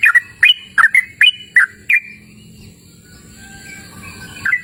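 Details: Yellow-vented bulbul singing energetically outdoors in open natural surroundings: seven quick, clear whistled notes, each a short downward-then-upward slur, delivered in a brisk burst, then a pause and one final note.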